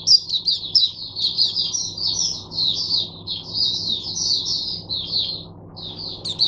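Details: Teacher-bird oriental white-eye singing for other white-eyes in captivity, Sunday 22 January 2022: a sustained, rippling high warble of slurred notes that runs almost without break and ends in a sharp chirp.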